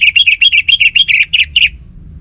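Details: Orange-headed thrush kept in northern Bali rattles off a fast string of about ten bright chirped notes, nearly even in pitch, slowing slightly at the end before the room falls quiet.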